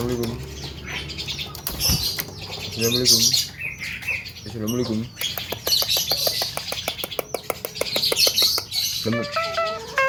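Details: Young Javan myna singing a melodious song described as full isian, packed with varied notes: low warbling harmonic phrases, rapid dry clicks, and a rising whistle near the end, sung in a room.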